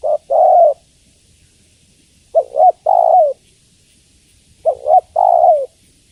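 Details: Spotted dove, a female calling the male: three phrases spaced over two seconds apart, each a broken two-part coo then a longer mellow coo that drops at its end; nothing else audible.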